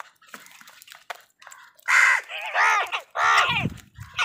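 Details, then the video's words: Crow cawing while fighting with wild birds over food: three loud, harsh, rasping caws in quick succession, preceded by quieter scattered bird chatter and faint clicks. "Crow Soud কাকের ডাক"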